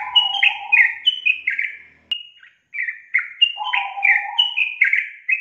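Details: Sooty-headed bulbul song played to coax a lazy young bird into singing: rapid bubbly chattering whistles, stepping down in quick bursts, with a brief pause near the middle and a lower warbled note twice.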